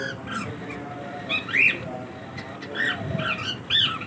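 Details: Three sharp squawks from cockatiels during their daily routine, a loud rising screech, then two shorter harsh notes spaced about a second apart, with a low indoor rumble beneath.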